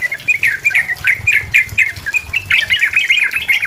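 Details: Sooty-headed bulbul in challenging song to lure a rival into singing: spaced, liquid whistled notes, then a quicker, denser burst of bubbly warbling, over a low rumble.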